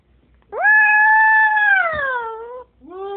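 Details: Pet female Moluccan cockatoo vocalizing indoors to her owner: one long, loud, harmonic drawn-out note that holds steady, then slowly falls, followed by a second shorter note starting.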